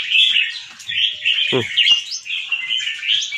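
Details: A white albino Red-whiskered bulbul with red eyes, a caged contest bird in Chonburi, Thailand. A continuous loud warbled phrase of bright slurred notes, interrupted once by a short dull knock.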